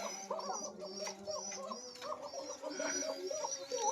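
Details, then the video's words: Caged Koka pigeon pair on a Bangladeshi farm, a little frightened yet calling steadily: overlapping soft coos in quick succession, with a high thin whistle and handling noise in the background. "চিকন ডাকের কোকা কবুতর"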